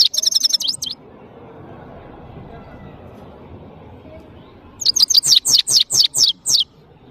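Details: European goldfinch, known locally as saira, singing in Parachinar: a burst of fast, tinkling high twitters, a long pause with low background rumble, then a second run of sharp, rhythmic chirps.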